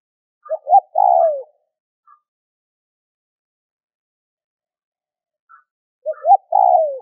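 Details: Spotted dove cooing to stir other doves into calling: two short rising notes followed by a drawn-out falling coo, heard twice with a long pause between, faint higher chirps around them.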